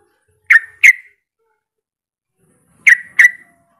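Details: Short call of a sooty-headed bulbul summoning a rival, meant to lure other bulbuls into calling: two pairs of sharp, slightly downslurred chirps about two seconds apart in an otherwise quiet background.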